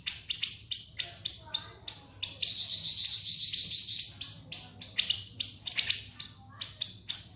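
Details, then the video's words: Long sharp shots from a siri-siri for teaching cage birds: regularly spaced piercing downslurred notes, a buzzy rolling trill in the middle, then more quick shrill shots to the end. "MASTERAN BURUNG SIRI-SIRI NGEBREN SUPER PEDAS TEMBAKAN TAJAM & SUPER PANJANG"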